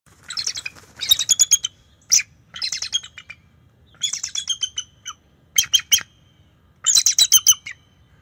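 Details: Bald eagle alerting at its nest territory on October 10, 2023, as a young male about five years old visits: loud, high, squeaky chattering chirps in rapid bursts of five to eight notes, separated by brief pauses.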